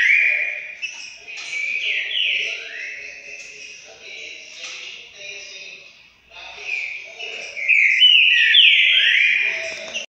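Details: Green-winged saltator recorded 12 December 2020, singing loud, rich whistled phrases with sliding, slurred notes in two strong bursts separated by a brief pause.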